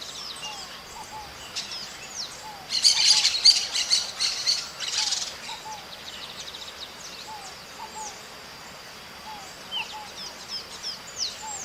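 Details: Maritaca parrot calling in nature: a loud rough burst of harsh, rapid screeches in the middle, while other small birds give faint short downslurred chirps repeated throughout.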